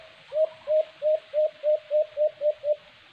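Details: White-eared brown dove (alimokon), heard during cage-trap hunting, gives nine evenly spaced low hooted notes in quick succession, each with a short upward inflection, against a steady background hiss.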